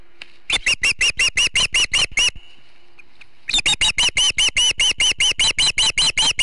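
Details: Osprey at its nest in Charlo, Montana, filmed by a bird cam, defending against another osprey that keeps harassing it. Two bursts of rapid, arched whistled chirps, about nine then some fourteen, separated by a second-long pause.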